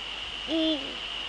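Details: Evening call of a male Eurasian eagle-owl, recorded in the Netherlands at 18:00 on 30 January 2013. A single clean hoot swoops up, stays level for about a quarter second, then dips, over a constant thin high-pitched whine.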